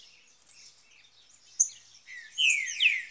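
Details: Green-winged saltator near a cage in the woods: soft high chips and scattered notes, then two or three loud, full whistles dropping in pitch near the end.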